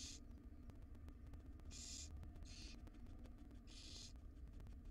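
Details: In a wild barn owl nest box, a female gently feeds her babies; four quick breathy hisses, two close together in the middle, against a persistent low-pitched background hum.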